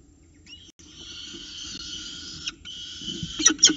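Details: Peregrine falcon chicks in a nest box at Orange during the first breakfast at 9.36 am on 29 October 2018, as prey is delivered and the chicks fight over it: a drawn-out, harmonic, wailing call that rises at the start, broken by a few short sharp notes near the end.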